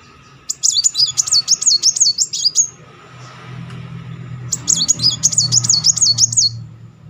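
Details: Two bursts of shrill, rapidly undulating trill, each about two seconds long and separated by a pause, from a Muncang sunbird used as a lure to provoke singing. A low hum sits underneath.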